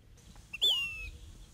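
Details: In spring in Arizona, a Say's phoebe singing its spring song from the top of an old mulberry tree, among 15–20 bird species, gives a plaintive whistled note sliding gently downward, about half a second long, over a faint low rumble.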